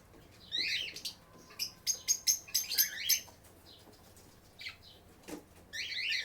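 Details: Lovebirds kept at a shelter aviary for sick birds, chirping and singing: bursts of shrill, scratchy high chirps in quick clusters, with a run of rapid sharp notes mid-clip and short pauses between groups.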